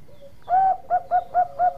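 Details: Singing Bangkok-type zebra dove: a soft lead-in note, a swelling drawn-out coo, then four short, evenly spaced coos in quick succession.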